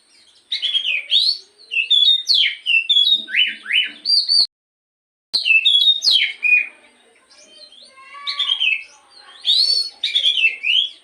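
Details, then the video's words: Black-throated magpie-robin song used in the morning to encourage another bird to sing: bursts of varied whistles, slurs and scratchy notes, one brief silent gap, then more phrases with sweet rising whistles. "pancingan Kacer di pagi hari agar burung Kacer rajin bunyi dan cepet gacor"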